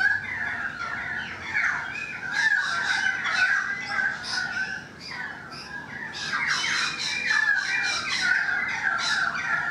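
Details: Currawong singing on a balcony: long sequence of looping, ringing whistles, a brief lull near the middle, then a dense stretch of overlapping rising and falling phrases.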